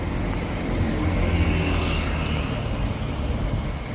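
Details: Steady broadband roar like passing traffic fills the recording, with no animal voice standing out.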